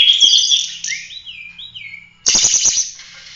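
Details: Oriental magpie-robin, 'gacor' full roll tembak song for masteran training of other birds: a buzzy trill, then clear downslurred whistles, followed by a burst of rattling taps and a high hiss.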